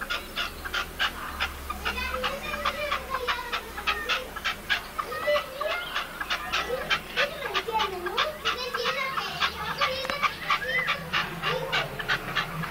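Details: A caged decoy partridge in León, Spain, recorded in 2012, gives rapid, harsh clucking notes, repeated in quick irregular bursts.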